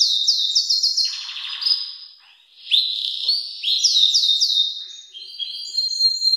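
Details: Belgian canary singing very loudly, a recording meant for training young birds: bright high whistled phrases, fast repeated downslurred notes, then a dry buzzy roll before rapid rising trills and sustained piping tones.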